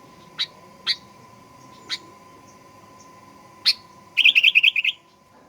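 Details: Sooty-headed bulbul, a call meant to rile birds into fierce singing: four sharp separate chip notes about a second apart, then a fast burst of liquid, bubbling notes, over a steady faint hum.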